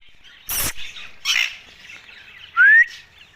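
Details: A ringneck parrot talks while eating. Two short, raspy, noisy bursts are followed by a loud, clear whistle that rises. There are quiet pauses between the sounds.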